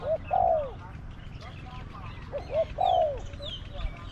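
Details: Spotted dove, a caged decoy bird matched against wild doves during decoy trapping, its voice described as small to medium. Two phrases, each with one or two short rising coos and then a longer, falling, slightly rough coo. Faint bird chirps are in the background.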